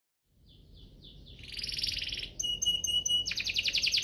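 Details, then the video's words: Canary song used as a lure to prompt other canaries into full singing: faint short notes at first, then a loud buzzy trill and rapid high repeated phrases building in volume. "Pancingan ini Berhasil pancing kenari manapun jadi ikut GACOR, Pancingan kenari biar gacor"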